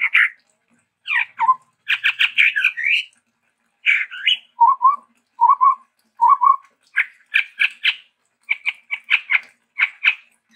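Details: Chestnut-rumped babbler (Stachyris maculata), a bird endemic to Sumatra, singing a varied run of harsh, stuttering chatters, low hollow hoots and quick repeated notes in short bursts, with no other sounds.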